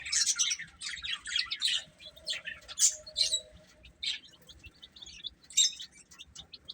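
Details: Young chickens chirping during a meal: a thick run of piercing peeps at the start, then scattered sharp single chirps and short falling tweets spaced irregularly.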